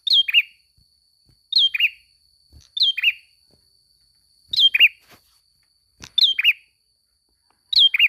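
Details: Energetic prinia song in a masteran recording for teaching cage birds: a bright descending double chirp, high then lower and buzzier, repeated six times at fairly irregular intervals of one to two seconds, otherwise quiet.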